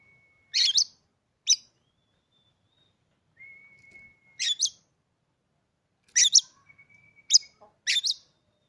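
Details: Oriental magpie-robin kept in a cage, newly acquired, gives scattered harsh two-part chattering bursts separated by pauses, with long level thin whistles in the gaps.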